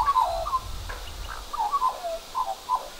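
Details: One of two Australian magpies, holding a cockroach in its beak, makes unusual soft, croaky mid-pitched notes in short slurred phrases about every half second over a faint rumble; owner wonders whether it is courtship or showing off.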